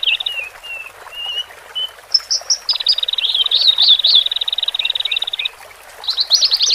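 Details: Male and female Horsfield's bush larks singing, meant to help newly caged birds separated from the flock relax. Soft descending whistles open, then sharp high notes, a fast rattling trill with wavering notes laid over it, and a final burst of chirps.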